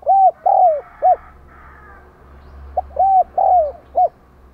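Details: Spotted dove used as a decoy, 'đồng còi' voice, calling to lure wild doves into answering. Two mellow four-part phrases, a short note, two drawn-out bowed coos and a clipped ending, spaced under three seconds apart in a quiet background.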